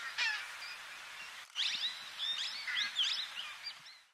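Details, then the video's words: Plum-headed parakeets (Psittacula cyanocephala) in Corbett National Park, India, in November 2023, give shrill, quick rising-and-falling squeaky notes in a loose, chattering series over a quiet background. "Perruche à tête prune (Psittacula cyanocephala) Plum-headed Parakeet"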